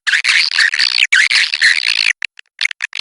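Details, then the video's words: A continuous stretch of lively, warbling twitters from edible-nest swiftlets at the Kapuas River, then a few scattered short clicks and chirps. "SUARA BURUNG WALET SUNGAI KAPUAS"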